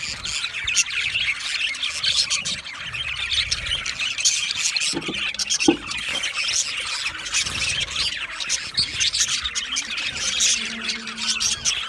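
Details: Budgie chirping and singing for lonely budgies; long stretch of dense, scratchy flock-like chatter with squeals and squawks, a couple of sharp clicks in the middle.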